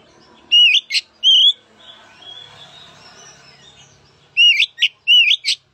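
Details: Oriental magpie-robin song to coax a reluctant magpie-robin into singing: two loud whistled slurs, a soft quiet warbling middle, then a rapid run of bright whistles and sharp chips.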